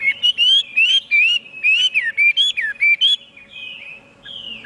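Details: Chinese hwamei singing a loud run of clear whistled phrases, each slurred up and down, repeated quickly for about three seconds, then longer drawn-out whistles after a short pause; steady faint hum beneath.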